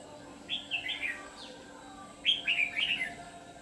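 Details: Red-whiskered bulbul used as a new decoy bird to lure wild bulbuls into a trap, singing two bright warbled phrases, each a quick run of sweeping, chirpy notes about a second and a half apart, over steady low background hum.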